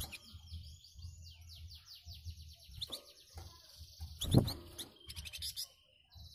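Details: A flamboyan bird, a songbird kept as a song tutor for competition birds, replies to other birds with its dense, rough song: quick runs of high descending sweeps, then a loud thump and a burst of scratchy notes.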